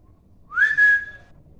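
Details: A parrot gives a single clear whistle that slides quickly upward, then holds a steady, pure tone for about half a second before fading, recorded in a quiet room.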